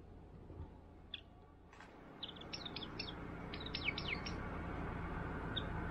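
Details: A warbling white-eye feeding on mandarin set on a stand during a dry week gives thin, high chirping calls in quick clusters over about three seconds. Steady low rumbling noise runs underneath.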